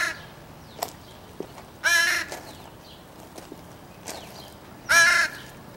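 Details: Crow calling on a morning in July, described as a very noisy young son of another crow, giving harsh drawn-out caws spaced about three seconds apart, with softer clicks and faint background calls between.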